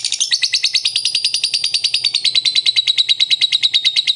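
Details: Lovebird in ngekek style, a long unbroken chattering trill of fast, sharp, high notes, about nine a second, held steadily for the whole stretch with slight pitch wobbles.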